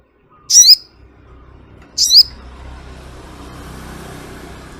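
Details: Brown-throated sunbird (sogok ontong) giving two short, trilled, descending high calls about one and a half seconds apart, followed by a steady low hiss of background noise.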